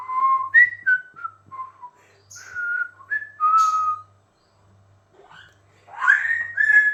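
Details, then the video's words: Pet talking Amazon parrot, said to be a bit crazy, whistling a string of clear, tuneful notes that step up and down, then a short gap before a louder, rougher whistled phrase. "Talking Amazon Parrot Gadajaca Papuga"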